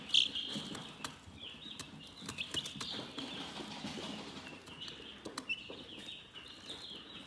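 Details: Calm, relaxing chicken chirping: a steady chorus of high, thin peeps, with one louder chirp near the start and intermittent short clicks and taps in the background.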